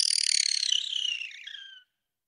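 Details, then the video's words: Barn owl giving a single rasping, pulsed screech of nearly two seconds whose pitch slides downward as it fades out, followed by silence. "Сипуха. Голоса птиц"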